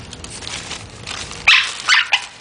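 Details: A pet parrot playing with a plastic bag gives harsh, noisy barks, two or three loud bursts in quick succession, after a stretch of crinkling rustle from the bag.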